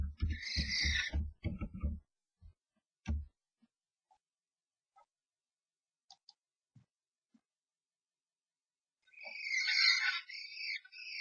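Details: Nest box scuffle among three common starlings, one a stranger intruding on a pair: heavy thuds and scrabbling first, a quiet gap, then a burst of rasping, hissing calls.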